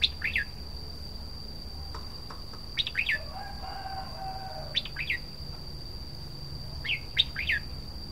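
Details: Red-whiskered bulbul song of brief chirpy phrases, each two or three quick down-slurred notes, repeated every two seconds or so. Soft low warbling is heard mid-clip, and a constant high-pitched whine runs in the background.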